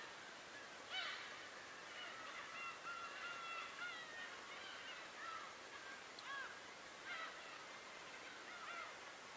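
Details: Birds calling at Tobishima: scattered harmonic calls in short bursts, some with sharp rising or falling slurs, spaced irregularly over about nine seconds against a faint, steady background hiss.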